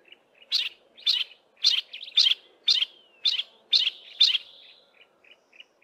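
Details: One yellow-breasted apalis in a thick wooded valley west of Grahamstown calls its half of a duet while the mate stays quiet; a steady series of eight emphatic scratchy chips, about two per second, with faint short notes before and after.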